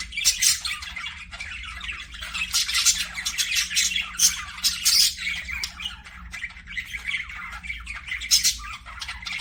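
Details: Budgerigars chirping in an aviary: a busy, overlapping chatter of scratchy, squawky chirps and warbles from several birds, continuous with bursts of louder harsh notes, plus a faint low hum.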